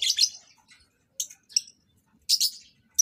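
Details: Lovebirds being paired for mating in a breeding setup give shrill, high chirps in three short bursts with gaps of silence between them.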